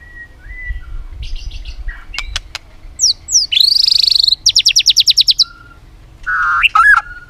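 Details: Competitive singing from a white-rumped shama that clicks continually: soft whistles and sharp clicks, then a loud buzzy note and a rapid even trill of about ten notes, closing with warbled phrases over low background rumble.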